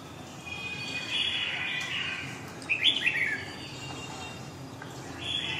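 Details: Red-whiskered bulbul performing a long Huế-style song: short bursts of sweet, warbling notes spaced through the recording, the loudest being a quick trilled phrase near the middle, with faint background noise.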